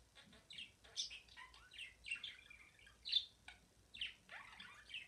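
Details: Budgerigar kept as a pet, singing a steady chattering warble: rapid high chirps, scratchy buzzes and short slurred whistles, loudest in a sharp burst midway.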